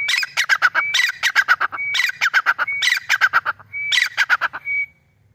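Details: Grey francolin (Irani teetar) calling loudly: three rapid phrases, each opening with a short high whistled note followed by a fast run of harsh, ringing clucks, about seventy notes a minute, with a faint low rumble beneath.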